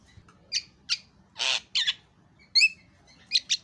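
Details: Javan myna chattering actively, birds answering one another: scattered harsh squawks, a broad rasping burst and short whistled notes with pauses between them, over a faint low background hum.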